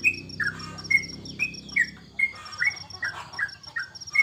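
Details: Yellow-vented bulbul (trucukan) at home during the Corona break from bird competitions, uttering spaced bright chirps, some downslurred pairs, roughly one to two per second, accompanied by a low hum early on and a constant faint high ticking.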